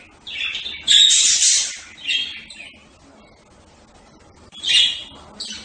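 Budgerigar chatter: bursts of high, scratchy warbling and chirps, one long spell near the start and another a few seconds later.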